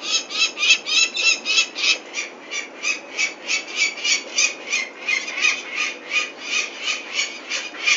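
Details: At Venlo, 21 May 2024, while chicks are taken for ringing, a peregrine falcon keeps up loud, grating high notes in a fast, fairly regular rhythm of around three calls per second without a break.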